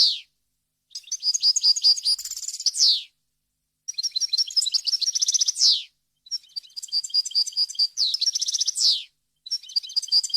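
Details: European goldfinch singing in a varied wild style, recorded to teach chicks and goldfinch hybrids: four twittering high phrases, each a quick jumble of notes closing with a falling buzzy slur, separated by brief pauses.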